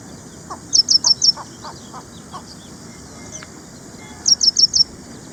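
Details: An ashy prinia in India calls two runs of four high, sharp chirps, about three and a half seconds apart; a lower, softer bird repeats short notes in the gap.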